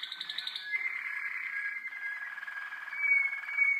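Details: Young Waterslager (Malinois) canaries recorded in 2012, singing a sustained, rolling, tonal warble held steady around one pitch band with a rich bubbling texture, brighter and louder toward the end; faint higher notes at the start.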